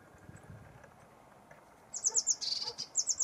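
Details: Lesser whitethroat (Curruca curruca) call: quick, dry, very high ticking notes in short bursts during the last second and a half, after a near-silent start.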